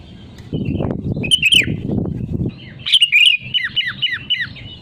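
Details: Sooty-headed bulbul song used as a lure to set other birds singing: a low rumbling background first, then a burst of quick downward-slurred whistled notes in a rapid run.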